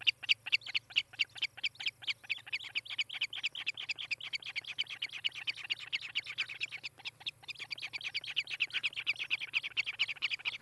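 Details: Osprey calling from a nest in Charlo, Montana, on camera on 18 July 2018: dense, overlapping high chirps pour out rapidly for ten seconds, pausing briefly midway, with a constant low hum in the background.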